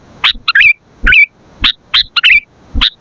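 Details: Lively sooty-headed bulbul singing, offered as a lure and tutor recording: sharp down-slurred chirps alternate with short gurgling, fluty phrases every half second or so, against a quiet background.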